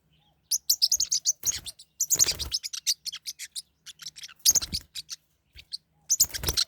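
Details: Caged pet forpus parrotlets fighting: rapid bursts of high, sharp chirps and squeaky twitters in quick runs, broken by short broadband scuffling or flapping bursts around two, four and six seconds, with brief gaps of silence between.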